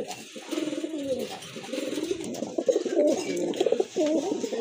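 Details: Red Danish pigeon pair kept for sale indoors in Kashimpur, Gazipur, Bangladesh; their calling said to show good health. Low wavering coos repeat in throaty bursts, heavily overlapped by a man talking.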